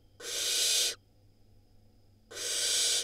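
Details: Barn owl nestling from an Israeli nest, hatched May 2022, near the moment it swallows a rodent: two rough, wheezing hisses about a second long, with a quiet gap of over a second between them.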